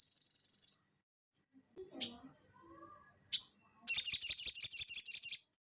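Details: Crested jay, known as sogon, in ngeleper style for training cage birds: a quick high rattle, a pause with soft chirps, one sharp note, then another fast, dense rattling burst.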